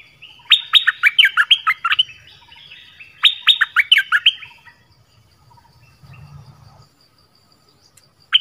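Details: Lively song of a Dok Taeng bird with many varied phrases: two quick bursts of sharp, downslurred, chattering notes about three seconds apart, then a soft low rumble and a single high note at the end.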